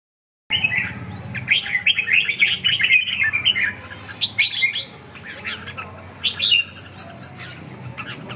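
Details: Red-whiskered bulbul singing a rapid run of bright, chirpy warbled notes, followed by looser scattered chirps and a few sharp upslurred whistles over a low background hum.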